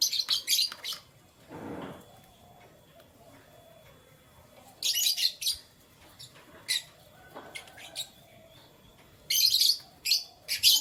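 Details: Canary chirping in the morning: three dense bursts of high, rapid tweets at the start, middle and end, with scattered single chirps and long quiet stretches between them.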